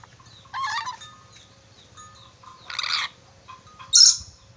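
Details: Red-breasted parakeet from Sulawesi, a skilled whistler with many whistles, gives three short, harsh, broadband bursts spaced about a second apart over faint background chirps.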